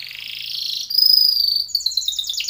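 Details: Timbrado canary training song: a buzzy rolling trill building in loudness, a sustained high whistled tone, then quick repeated chirping notes at the end.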